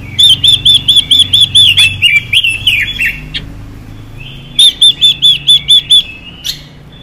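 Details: Female Chinese hwamei song meant to excite male birds: seven or eight clear arched whistles in an even run, then lower slurred, descending phrases, then another whistled series of about six notes.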